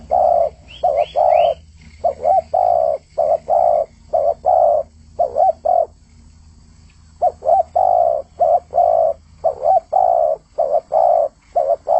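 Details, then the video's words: Loud, vigorous spotted dove song: repeated phrases of quick double coos and long, steady, mellow coos, with a brief pause near the middle. A few faint high rising chirps come early on. "Burung trkuku gacor"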